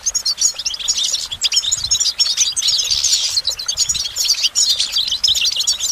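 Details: Goldfinch pouring out a fast, jangling song of high tinkling notes and twitters, with a short raspy buzz midway, steady and unbroken.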